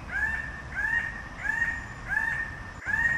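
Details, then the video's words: Red bird-of-paradise, a species endemic to the Raja Ampat islands of Indonesia, giving loud rising nasal notes that level off, repeated about every 0.6 seconds, five in a row over low background rumble. "Canto del Ave del Paraíso Roja"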